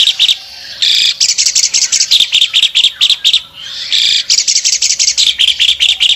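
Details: Albino Asian pied starling in full song while opening its wings, a loud, dense run of harsh chattering and squeaky whistled notes in rapid bursts, with short pauses between phrases.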